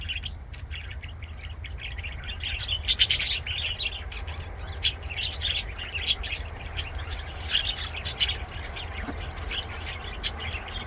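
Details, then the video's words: Aviary budgies singing and playing: steady scratchy chatter of chirps and clicks, swelling into louder warbled bursts around the middle, with a low humming background throughout. "BUDGIES SINGING PLAYING"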